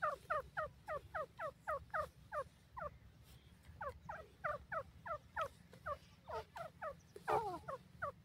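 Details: Grey francolin, known locally as teetar, in Indian open country, repeating short, wavering, doubled notes at a brisk, slightly irregular pace of nearly four a second, with faint low background noise throughout.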